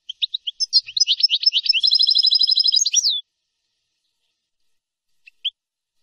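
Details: Goldfinch song recorded as a tutor tape for training young birds: quick scattered twitters build into a fast, dense run of repeated metallic trilled notes lasting about three seconds, then silence and two faint single notes.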